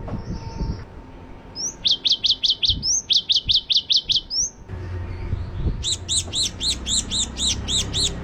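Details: Java sparrow in 'tembakan' style: repeated bursts of quick, high, ringing chips in clusters of five or six, separated by short gaps, then a longer run of steady, doubled notes over low background rumble.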